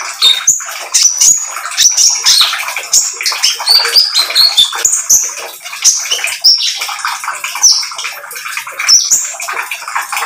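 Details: Lure song from a lively spotted oriental magpie-robin: rapid, jumbled high chirps and whistled slides repeated in dense bursts, with a rushing noise beneath.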